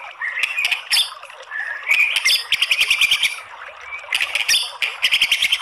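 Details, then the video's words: Female white-rumped shama used as a lure for other shamas: buzzy, rattling chatter of rapid clicks and short whistled notes, delivered in dense bursts with brief quieter gaps. "RESPON CEPAT!!! MURAI BATU APAPUN AKAN BONGKAR ISIAN ¦ PANCINGAN MURAI"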